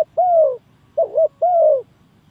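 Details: Spotted dove call played to lure birds for trapping: a long, level-then-falling coo, a short two-humped note, then another long, softly descending coo, in otherwise quiet surroundings.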